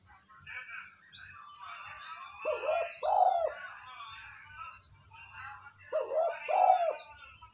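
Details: Spotted dove coo for training a decoy bird. Two low, rolling two-part phrases stand out over a busy wash of high chirping and chattering birds and a faint low rumble.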